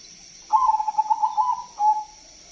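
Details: Zebra dove song played to lure other doves: an extended rapid purring trill of pulsed coos holding one pitch, then a short separate closing coo, with steady high background hiss.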